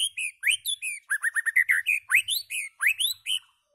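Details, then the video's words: White-rumped shama singing loudly: a rapid, varied run of clear whistles and sweeping rising and falling notes, many fast notes in under four seconds, loud and clean. "White-rumped shama singing loud"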